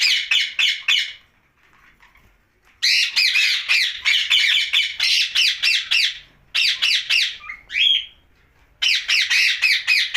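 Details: At night a pet rose-ringed parakeet delivers bouts of harsh, rapid screeches, pausing twice for a couple of seconds, with one brief whistled note near the end.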